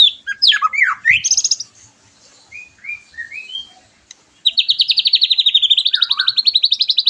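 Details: White-rumped shama song for rousing a bird after moulting: quick varied whistles and sweeps, a few soft rising notes, then a long, fast, steadily repeated high trill.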